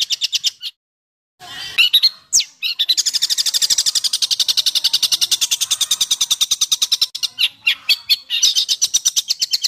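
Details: 'Besetan kasar' harsh song intended to train caged and contest songbirds: several scratchy notes, a short gap, then a long rapid rattling trill of high, grating pulses.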